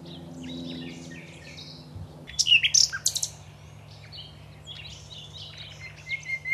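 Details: Common nightingale singing at Aiguamolls park: a near-silent start, then a sudden burst of loud high notes, followed by softer varied chirps and short trills, with a faint low hum throughout.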